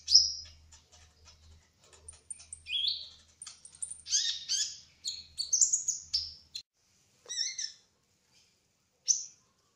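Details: Singing brown-throated sunbird (kolibri ninja trotol): brief thin ticks building into bursts of high twittering and slurred whistles, then sparse single notes separated by silences.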